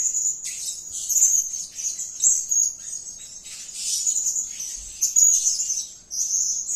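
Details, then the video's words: Lively 'gacor' calling from a blue-crowned hanging parrot: a steady stream of shrill, thin high-pitched twittering, rising and falling in loudness, with a brief pause before resuming. "Edisi Suara Serindit Gacor || suara gacor si Sayap Kuning memanggil"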